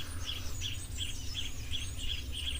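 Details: A Rattling Cisticola gives alarm calls at an African waterhole on 30 September 2025, sharp, high chipping notes about three per second in a steady series, over low wind-like rumble; these birds alarm-call even at people.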